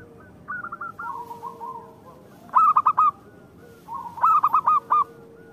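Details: Local zebra doves singing to provoke rivals into singing: bursts of rapid, clipped, ringing notes in short stuttering phrases, with several birds answering one another.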